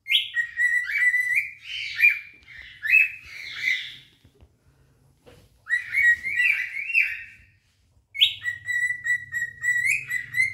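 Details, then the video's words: Two adult cinnamon cockatiels sing to attract a mate, in bursts of clear, warbling whistles with stepped rising and falling notes and brief pauses between phrases. "آواز خواندن دوتا عروس هلندی عاشق"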